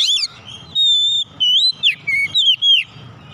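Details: Oriental magpie-robin singing on a training recording for caged birds. Smooth, long whistled notes alternate with quick swooping slurs, each phrase separated by brief gaps, over a soft background murmur.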